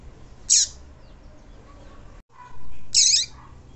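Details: Double-collared seedeater female call meant to stir up males, known as 'tui tui': a pair of brief, bright, high downward-sweeping notes, with a soft muffled rustle just before the second note and a brief break in the background.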